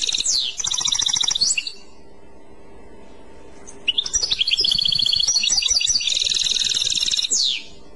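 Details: European goldfinch clochette song in two phrases: a rapid tinkling trill, a quiet pause, then a longer run of bright chiming notes and buzzy whistles closing with a downward sweep.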